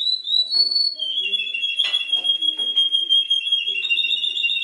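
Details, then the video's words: Canary copying other birds' songs with a long, steady, piercing whistle that barely changes pitch for several seconds, preceded by a brief higher rising note. "CANARY PARODIES 10 BIRDS SONG!!!"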